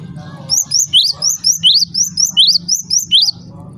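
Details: ['Java sparrow calling in a sound meant to set other Java sparrows calling: a quick series of about eleven sharp, rising chirps, several per second, over a steady low hum.']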